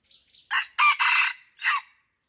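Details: Wild red junglefowl fighting in the Lamteuba forest of Aceh: a loud, ragged crow of four broken bursts. The middle two are longest and harshest, with a final short note after a pause. Faint insect hiss underneath.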